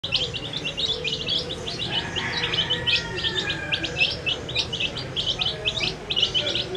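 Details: Colourful dyed baby chicks eating their food, a flock giving dense, continuous high peeps, short sharp chirps overlapping rapidly throughout, with a faint low hum underneath.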